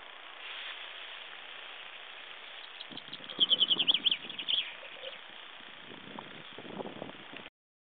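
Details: Chaffinch at Broadstones Reservoir, recorded 18 March 2011, gives a short burst of rapid, high, chirping notes in the middle, with a final separate note; low rumbling background noise comes and goes around it.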